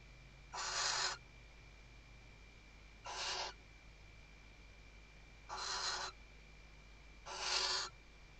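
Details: Female Western barn owl calling her mate while stuffing the nest, Ebro Delta, Spain, 2023 season: four harsh hissing bursts, each about half a second, irregularly spaced two to three seconds apart, low electrical hum behind.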